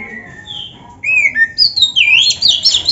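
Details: Kacer, or Oriental magpie-robin, singing a competition-style song meant to make other magpie-robins reply: soft whistles at first, then loud rising and falling slurred whistles in a fast tumbling sequence.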